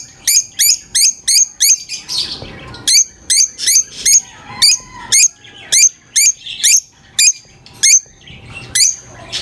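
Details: High-pitched lovebird chirping in a rapid, steady series of about twenty short, piercing notes, with brief pauses between bursts and little other sound.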